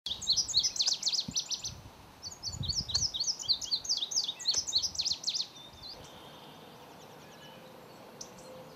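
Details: Indigo buntings at the nest: rapid high twittering chips in dense series over the first five seconds, then fading to faint distant notes over steady background hiss.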